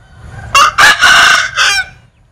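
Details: A Linh Kê chicken crows in a strange style, loud and near. Two short rasping notes lead into a long, steady, hoarse note, then a final short burst, with silence after.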